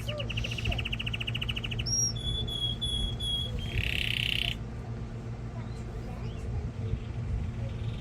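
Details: Male canary singing to prepare a hen for mating and teach young birds: an even rolling trill, then clear whistled notes and a buzzy passage, after which the song stops and only low background rumble remains.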